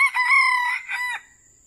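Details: Red junglefowl crowing during trapping in Vietnam: a loud, harsh, rasping crow of two joined phrases lasting just over a second, the second phrase falling away at the end, over a thin steady high whine.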